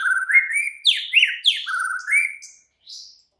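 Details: Oriental magpie-robin singing at night, used as a lure to make a caged bird answer and sing: slurred whistled phrases rising from low to high, then sharp downswept notes and a short trill, a brief pause before one final high note.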